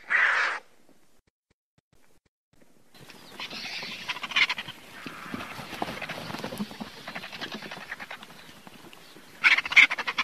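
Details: Griffon vulture: a short harsh broadband burst, a pause, then several seconds of rough, overlapping hissing chatter with scattered clicks, and loud rasping bursts near the end.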